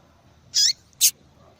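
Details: Female yellow-bellied seedeater calling to stimulate the male into singing: two short, very high, sharp chip notes about half a second apart over quiet background hiss.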